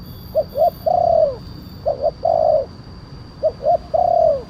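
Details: Big-voiced spotted dove, kuk 1 type, calling as a lure for wild doves; rhythmic phrases of two brief coos followed by a longer falling coo, three times at an even pace, with low continuous noise beneath.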